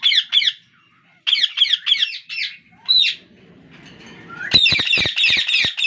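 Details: Hungry parakeet chicks beg for food as their father tries to feed each one equally: harsh, rasping begging calls in quick bursts, then a loud overlapping chorus with soft clicks and rustling underneath.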